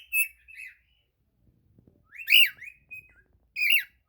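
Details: Pet cockatiel singing: short whistled notes near the top of its range, rising and falling slides with buzzy harmonics, in three bursts separated by pauses.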